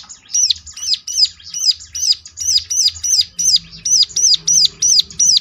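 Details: Lure recording of a Bar-winged Prinia meant to draw other prinias into answering: a steady series of high, sharp arched chirps repeated about three times a second, loud and clean against a quiet background.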